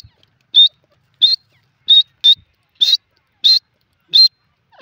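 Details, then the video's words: A grey francolin from Sindh gives a series of loud, sharp, high-pitched notes, about eight in five seconds at a steady pace, with no other sounds. "dakhni teetar ki voice"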